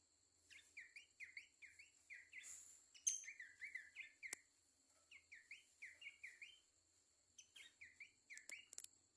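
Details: Babbler singing a bright run of short whistled notes that rise and fall, delivered in rapid bursts separated by brief pauses, with faint high clicks and a steady high electronic hiss.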